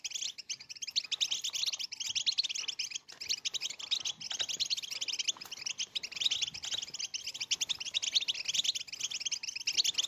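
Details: European goldfinch singing to stimulate females for mating and get other goldfinches dancing and singing: a dense, unbroken twitter of high tinkling notes, buzzy trills and quick chirps, moderately faint and sustained throughout.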